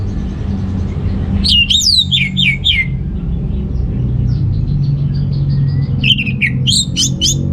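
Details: Orange-headed thrush song for prompting males lacking breeding urge: a series of descending slurred whistles, a quiet spell of faint notes, then quick rising chirps, over a persistent low rumble.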